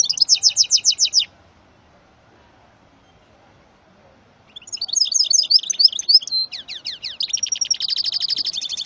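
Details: High, rapid trilled phrase from a male goldfinch × female canary mule, then a pause of about three seconds before a longer, varied run of chattering notes, downslurred whistles and buzzy trills.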